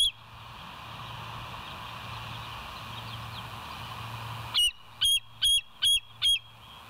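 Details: Bald eagle on a West End live cam, early morning of 7 July 2023 at 06:21: hissy background with a low hum, then five loud, clipped, high whistled chips with bright overtones in the final two seconds.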